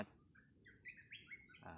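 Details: A blue-crowned hanging parrot gives a quick run of thin, high squeaky chirps that rise and fall over a steady high-pitched whine and low background rumble.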